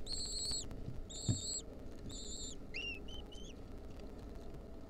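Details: Wild lesser kestrel nestlings at a 2023 nest, being fed a mouse by their mother, give three drawn-out, high, thin wheezing notes, then a few shorter rising squeaks, over a steady low rumble.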